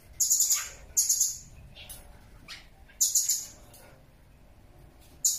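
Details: A blue-crowned hanging parrot gives very high, thin, shrill chattering bursts about half a second long, every one to two seconds, with fainter sharp notes between; recorded as a model to prompt other birds to call.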